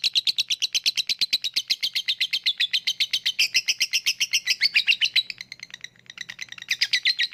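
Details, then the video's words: Continuous lovebird ngekek chatter, meant as a lure for lazy singers: rapid, harsh, tightly repeated notes with a brief dip in the middle before the run resumes. "Ngetik lanjut ngekek@Pancingan untuk Lovebird yang malas bunyi"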